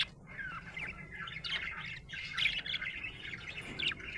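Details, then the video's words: Happy budgie giving a short run of bright, squeaky chirps and warbled chatter, the notes rising and falling quickly, with a few louder peaks. "Happy budgie chirping sound"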